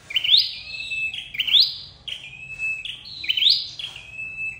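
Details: Trapping lure recording of a red-headed flowerpecker: three loud whistled phrases, each an upward sweep into a long level high note, spaced about 1.5 seconds apart.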